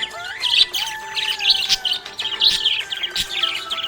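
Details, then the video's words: Budgie in a happy mood, chirping in rapid bursts of high, scratchy twittering and short warbles, rising and falling in loudness about once a second, with music playing softly underneath. "Happy budgie chirping sound"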